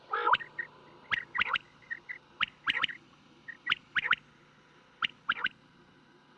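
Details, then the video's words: Quail calling at night, a deep-voiced call used for hunting, in quick clipped triplets of sharp liquid notes about once a second, with faint soft chirps between the phrases. "بٹیر کی کیسٹ رات والی Sound of Quails Batair ki boli"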